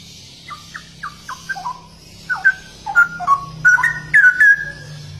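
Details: Straw-headed bulbul (cucak rowo) begins with soft, spaced falling whistles that build into louder, fuller warbled phrases toward the end.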